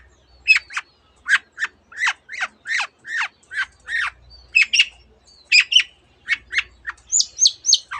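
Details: Mimicking long-tailed shrike delivering borrowed canary and other bird notes: a steady stream of crisp, clipped chirps and falling whistles, roughly three per second, with a few high thin notes near the end.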